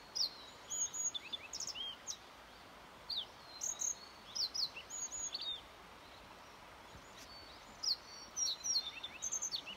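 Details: Yellow bunting song recorded on 29 May 2021: short, high, thin notes and quick chirpy phrases scattered over ten seconds, with fainter overlapping twitters behind them and a steady soft background hiss.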